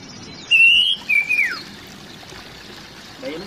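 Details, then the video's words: Oriental magpie-robin call, used to prompt a silent magpie-robin into voice: one clear whistled note held level, then a second phrase slurring sharply downward, followed by quiet background hiss. "suara panggilan burung kacer atasi kacer bisu"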